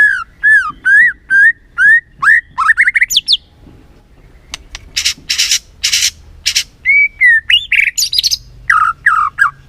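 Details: Energetic white-rumped shama song played to stir up a quiet bird: repeated looping whistled notes, an accelerating trill, then harsh buzzy bursts followed by more varied whistles and chattering notes.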